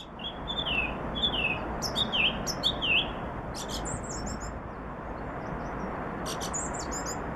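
Song thrush singing a clear, down-slurred whistle four times in quick succession, then switching to a higher, chirpier phrase, over a steady hiss of background noise.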